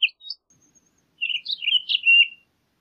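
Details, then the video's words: A couple of short chips, then a fluid warbled Townsend's solitaire phrase lasting over a second with rich, wavering notes ending on a steadier tone. "Townsend's Solitaire Song! Townsend's Solitaire Call! - Solitario Norteño Canto- Myadestes Townsendi"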